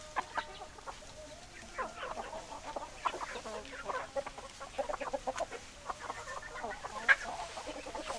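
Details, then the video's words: Chickens clucking quietly in a flock, sparse short clucks and soft chatter spread evenly, with a few sharper notes. "Chicken Sounds Noises Hens Clucking Roosters Crowing"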